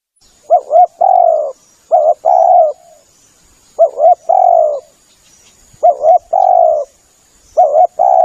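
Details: Lure call of a spotted dove: a broken two-part coo then a drawn-out falling coo, repeated in steady phrases about every two seconds, with a faint high-pitched background tone.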